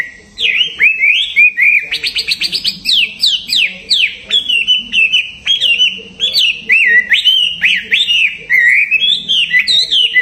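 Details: Contest songbird in full voice: rapid chattering trills and sweeping whistled notes, alternating fast rattles with looping rising-falling phrases, continuous for ten seconds.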